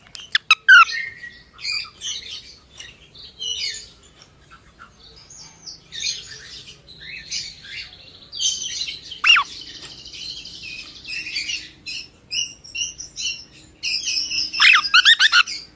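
A cockatiel chirps busily, mixing sharp high whistles with harsher raspy squawks in an irregular stream.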